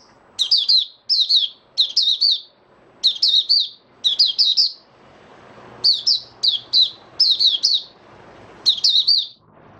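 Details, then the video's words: Male white-eye (mata puteh) singing its opening song (buka sing), dated 08012022: a long series of clipped, high warbled bursts, each a quick run of two or three chirps, repeated steadily with short gaps. "Mata Puteh Raja Stablizing his form buka sing"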